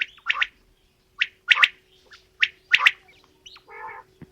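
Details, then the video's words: Male and female quail calls, a few loud paired clipped notes and a short nasal buzzing note near the end, with a low steady hum behind. "Female Batair Calling | Male Batair Sounds | Mix Calling| Batair Ki Awaz | Batair Ki lambi Awazay"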